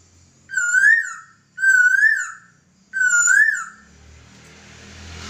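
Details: Laughingthrush master song for training birds: three clear, wavering whistled phrases, each about a second long and spaced a little over a second apart, followed by a soft rushing noise.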